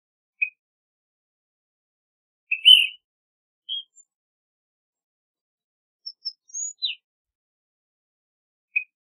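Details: Ash-throated Flycatcher calling: short clear notes near the same pitch, one louder burry note, then a quick run of high thin chirps and a downslurred note, spaced irregularly over nine seconds in silence.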